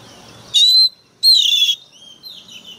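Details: Oriental magpie-robin used as a decoy bird, worked up and singing very harshly: two loud, sustained, high whistles, the second longer and slightly falling, with quiet pauses between.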